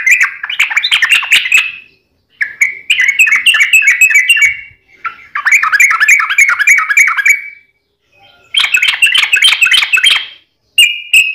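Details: Extended sooty-headed bulbul song for prompting a kept bird to sing: four lively bursts of rapid, tumbling, fluty chatter, each lasting a couple of seconds, separated by short pauses.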